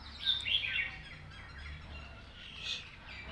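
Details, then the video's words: A red-whiskered bulbul sings a master-style song with beautiful phrasing: a quick burst of bright, chirpy warbled notes, then a single short phrase after a pause, over faint background hiss. "นกกรงหัวจุก"เพลงแม่บท เดินสำนวนสวย"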